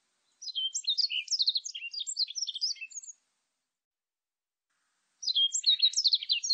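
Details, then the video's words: Warbling white-eye delivering a long, fast, high-pitched warble of chattering, rising and falling notes lasting nearly three seconds, then silence and a second energetic phrase; background otherwise silent. "동박새, 여러번 듣기, 곤충소리, 새소리"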